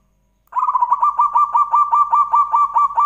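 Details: Zebra dove singing as a lure to set other doves singing, a steady run of rapid rolling coo notes, about two to three beats a second, sustained without a break after a short silence.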